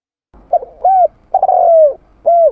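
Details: Spotted dove (Spilopelia chinensis), coo call.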